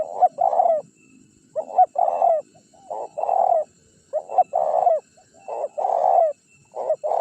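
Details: Spotted dove lure recording, made to draw wild birds and provoke rivals to come. Deep, rough cooing phrases, each a short note followed by a longer rolling coo, repeated about every one and a half seconds with quiet gaps.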